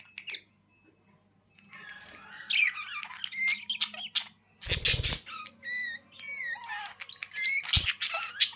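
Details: Pet budgies warbling with squeaky rising and falling notes and short repeated chirps, broken by two brief loud rattling bursts.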